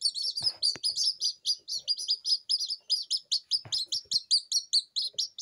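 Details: Newly hatched Silkie Serama chicks, still wobbly and damp from the incubator, crying without a mother hen: rapid high piercing peeps, each dropping in pitch, about two or three per second, with faint handling rustles.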